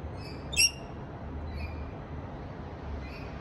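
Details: A rainbow lorikeet calling its friends to a feast gives one sharp, shrill screech, followed by two fainter squeaky calls, over a low background rumble.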